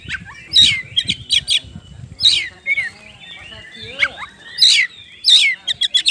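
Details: Oriental magpie-robin (kacer) song used to draw other birds into singing: clusters of bright chirps and slurred whistles separated by short pauses, ending in a quick series of sharp notes, over a soft low background murmur.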